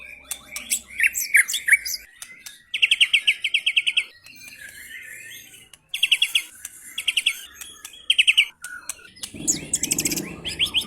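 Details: White-rumped shama (F3) performing rough 'materi kasar' song: choppy whistled notes, then fast regular buzzy trills repeated several times between pauses, ending in a harsh high outburst over a low rumbling noise.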